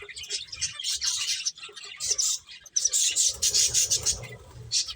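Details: Several finches at play give busy, overlapping high chirps and twitters almost without pause, in bursts of chatter separated by brief dips, over a soft low background hum.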